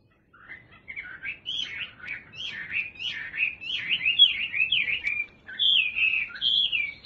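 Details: Chinese hwamei kept by a bird keeper sings a quick run of varied slurred whistles, rising and falling phrases strung together without pause, clear against a quiet background.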